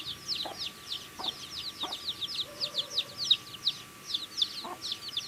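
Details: Chicks eating food, calling in rapid high-pitched downward-slurred peeps, overlapping from several birds, with a few scattered pecking knocks.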